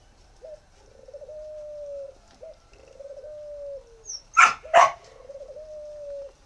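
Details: Spotted dove kept at a breeding farm in Ba Vì, northern Vietnam, giving drawn-out low coos, each with a short rising lead-in, repeated about every two seconds. Two loud barks cut in near the end.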